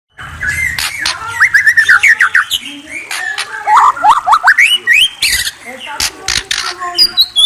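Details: White-rumped shama singing a varied run of clear whistled notes, rising and falling slides and short chirps in quick succession, with sharp clicks and some low murmuring at the start.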